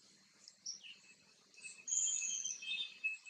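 Green bee-eater giving high, thin trilled and chirping notes, with a longer sweeping trill in the middle, against a faint background hum.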